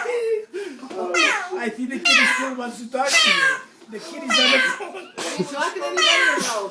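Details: A female pet orange-winged amazon talks with people indoors in short, speech-like bursts about a second apart, with swooping, rising and falling tones, some almost catlike, in a small room.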